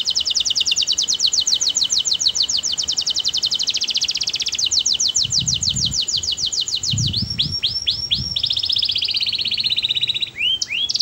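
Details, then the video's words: Canary singing sweetly: a long rapid trill of high repeated notes lasting several seconds, followed by rising hooked notes and a drawn-out whistle, with faint low background noise. "Suara burung kenari bernyanyi merdu"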